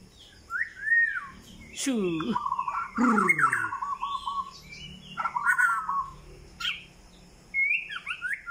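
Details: Murai batu, the white-rumped shama, giving varied whistled and warbled phrases in quick succession, joined by a brief low voice-like sound and a few clicks.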